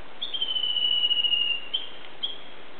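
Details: Unseen Japanese bush warbler in fresh green mountain woods on 17 May 2010, singing just before its valley-crossing call: a drawn-out level whistle sliding slightly lower, followed by two short separate notes.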